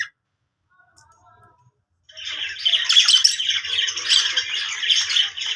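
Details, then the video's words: Pet budgie giving happy sounds: quiet start, then from two seconds a busy, steady chatter of squeaky, clicking notes. "cute budgie making happy sounds"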